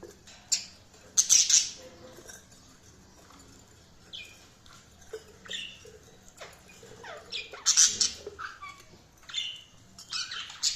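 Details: Budgerigars chirping: scattered harsh, scratchy chirps mixed with short sliding whistled notes in irregular bursts, loudest near the second and eighth seconds, against a quiet background.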